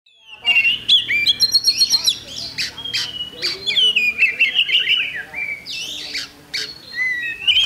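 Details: Oriental magpie-robin singing at a bird contest on Thursday, 8 October 2020: a rich, varied run of whistled phrases and rapid chattering notes, with sharp upward and downward slurs and a low background hum.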